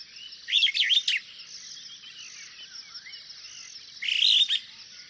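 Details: Superb starling producing a rapid cluster of harsh chirps, then after a pause a buzzy, scratchy warble, with a continuous shrill insect hum underneath.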